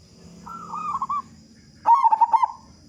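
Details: Big-voiced local zebra dove, a song lure to make other doves sing sooner: a soft, quavering coo phrase, then a loud rapid series of about five clipped coos.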